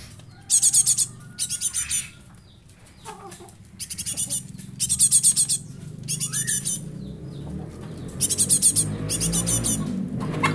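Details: Young Java sparrow used as a lure bird, giving bursts of high, sharp chattering chirps in short clusters of about half a second, separated by pauses, over a steady low rumble of background noise.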